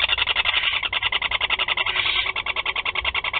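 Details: Four young barn owls being fed at the nest in Théding, 16 July 2020; a rapid, harsh, pulsed chatter runs continuously at about three or four pulses a second, buzzy and steady throughout.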